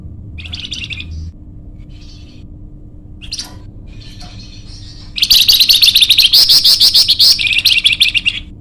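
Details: Golden-bellied gerygone (flamboyan), an energetic, vocal recording for luring or training birds: soft scattered chips and a short whistle, then a loud, continuous run of rapid, buzzy high chattering with trilled notes for several seconds.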